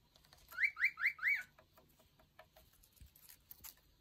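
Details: Pet cockatiels whistling while eating and playing: four quick, bright rising whistled notes in a fast even run, followed by soft pecking and rustling.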